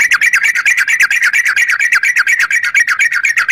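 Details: Yellow-vented bulbul pouring out long, loud 'ropel' chatter used as a lure for other bulbuls, with steady fast harsh notes, about seven per second, for the whole stretch without a break.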